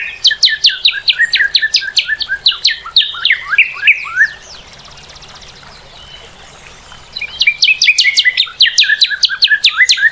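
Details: Northern cardinal singing rapid cascades of sharp downward-sliding whistled notes, a quiet interval with faint trickling background, then another fast burst of the same notes.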